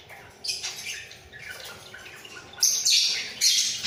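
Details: Caged breeding pair of budgerigars, head-bobbing as they sound off: subdued scratchy twitter at first, then two loud, harsh, rasping bursts near the end.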